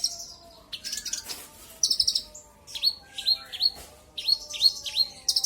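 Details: Olive-backed sunbird (konin, kolibri ninja) song used as a lure to provoke a rival bird; high, sharp downslurred chirps in quick groups of two to four, separated by short pauses, with faint low background hum.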